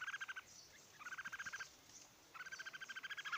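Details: In Odisha, a red-whiskered bulbul gives three runs of quick, evenly spaced, harmonically rich notes. The bubbling rattles last roughly half a second to a second, separated by short pauses, over faint background hiss.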